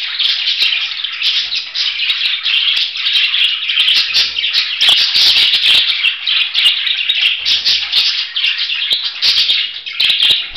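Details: Budgerigar giving a continuous, dense, chattering warble of rapid scratchy and squeaky notes, with occasional sharp clicks, sustained without pause.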